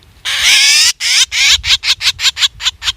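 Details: Hunting lure recording of a black drongo: one long, rough, rasping note, then a row of shorter buzzy, wavering calls that come faster and grow shorter toward the end.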